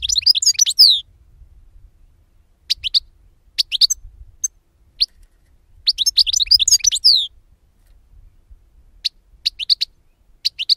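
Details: Singing European goldfinch on a bird-capture lure recording. Fast tinkling twitter phrases alternate with scattered single chirps and pauses, all high-pitched, with a faint low hum underneath.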